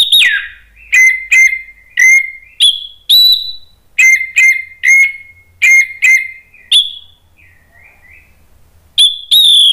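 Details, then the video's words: Orange-headed thrush singing agitatedly to provoke other birds: a fast series of loud short whistled notes, many falling, repeated in steady pulses about twice per second, with a brief quiet soft warble near the end. "ANIS MERAH spontan EMOSI NRATAK terus NGEPLONG ¦ PANCINGAN AM"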